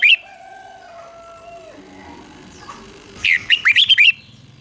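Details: Red-whiskered bulbul song of the doubled kind played for young birds to imitate: one sharp whistled note, a long gap filled by a faint drawn-out tone, then a brief fast burst of about six bright whistled chirps.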